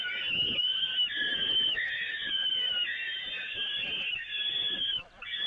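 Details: At the Evoluon nest on 13 May 2018, peregrine falcons feeding from the grating: one nearly unbroken harsh, hoarse screaming call lasting about five seconds with slight rises and falls.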